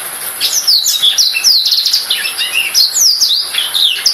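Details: Rapid twittering song of a black-throated canary, with sharp descending slurred notes and trills packed into continuous high-pitched phrases.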